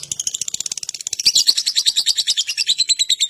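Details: Lovebird ngekek, a rapid chattering trill used as a lure to make other lovebirds sing: fast repeated buzzy notes, about three per second-tenth, rising in loudness midway.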